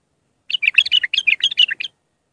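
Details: Lively phrase of bubbly, repeated whistled notes from an Iraqi bulbul singing the raw Mandali style, used to teach young bulbuls, about one and a half seconds long.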